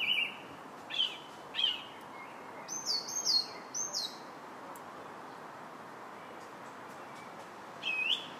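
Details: Song thrush singing on July 8th: a clear whistled phrase repeated three times, then a higher, sharper phrase also given three times, a few seconds' pause, and one more whistled phrase rising at the end, over a steady soft hiss.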